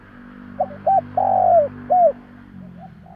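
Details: Spotted Dove cooing to draw replies from wild doves: a clipped note, a short coo, a long hoarse coo and a falling final note, over a steady low humming background.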